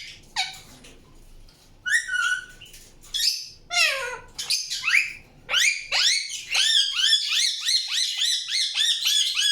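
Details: Indian ringneck parakeet: scattered harsh screeches sweeping downward, then a fast even run of short arched chirps repeated several times per second to the end.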